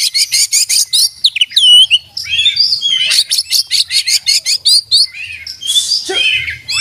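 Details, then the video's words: Oriental magpie-robin in energetic song with open beak, showing fill-in and master-learned phrases: quick sharp notes, looping whistled curls, then a long rapid chatter of clipped notes ending in buzzy slurs. "kacer gacor buka paruh full isian dan masteran"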